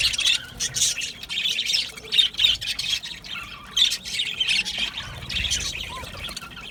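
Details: Aviary budgerigars calling as a group: bursts of high chirping and warbling chatter separated by brief dips, with occasional clearer whistled notes poking through.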